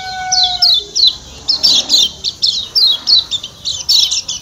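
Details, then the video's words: Lombok white-eye, locally kecial kuning, giving its 'ciak ciak' call: sharp high downslurred chirps in quick pairs and bursts. A steady harmonic whistle sounds over the first second. "Ciak Ciak Kecial Kuning"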